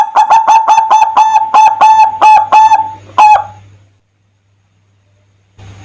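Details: Zebra dove sings a lure song to call other doves: a quick series of clear pulsed coos at one steady pitch, a short pause, one final coo, then silence.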